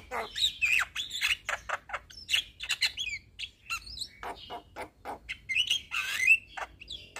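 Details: Young Javan myna in full song, kept for training other mynas: a busy run of short chirps, harsh notes and squeaky whistles mixed with a few clearer whistled phrases, all delivered in quick, uneven bursts.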